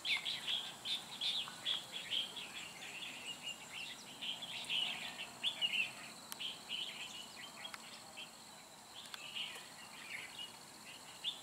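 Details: Red-whiskered bulbul used as a decoy during trapping, singing to provoke a fight, recorded 3 December 2016: bright whistled chirps and short warbled phrases near the top of the range, repeated in bursts, with scattered chirps from other birds and faint background noise.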